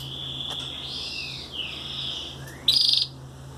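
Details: Hand-fed 18-day-old Belgian canary chicks; thin high whistled and buzzy begging notes, some bending downward, ending in a loud harsh pulsed burst near the close.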